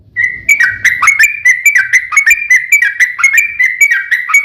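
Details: Yellow-vented bulbul in fighting song, long rapid 'ropel' style, used as a lure to make other bulbuls answer: bright chattering notes, each dipping then rising, repeated about once a second for four seconds.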